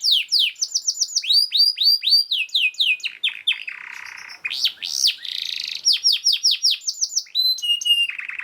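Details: Fast, tightly packed canary song meant as a master for teaching caged canaries; repeated falling whistled notes give way to a harsh buzzy trill, then rapid chirping series.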